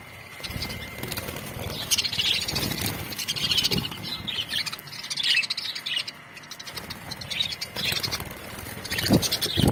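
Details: Budgerigars kept together in a colony, chattering and singing: busy high warbling chirps throughout, mixed with low thumps and rustling in the background.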